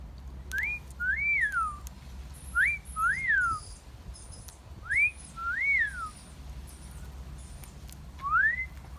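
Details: Pet parrot in a garden giving clear two-part wolf whistles, a rising note then a longer rising-falling slide, repeated four times over nine seconds, with faint high chirps in the background.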